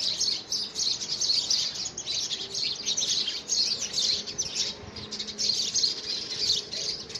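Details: Competing house sparrows at a handmade nest box in February 2017 keep up a busy stream of high, twittering chirps, overlapping and swelling in loudness every second or so.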